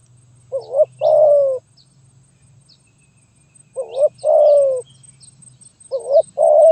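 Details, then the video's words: Zebra dove singing in the style locally called gagap tindan (sepatah), 23 January 2022: three phrases of clipped, bubbling coos, each a quick stutter then a longer falling note, repeated every two to three seconds over a low steady hum. "Burung Terkukur Gagap Tindan (Sepatah)"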